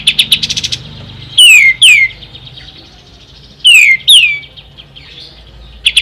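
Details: Ashy tailorbird giving a brief high trill, then two pairs of loud, clear whistles that slide steeply downward, with quiet between pairs and a short trill at the end.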